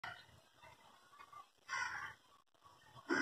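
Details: A Little Heron, a secretive bird collecting twigs from a tree beside a window to build a nest on a nearby tree, gives two harsh, raspy calls about a second and a half apart over faint rustling.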